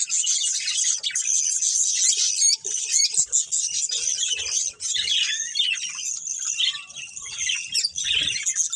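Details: Budgerigar breeding pair with family: rapid scratchy warbling and high chirps running continuously, some brief squawky notes and faint background knocks.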